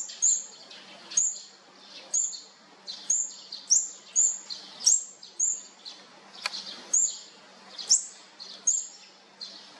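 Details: Olive-backed sunbird chicks at feeding time: a steady series of piercing, high-pitched short chips, about one each half second to second, over faint background noise.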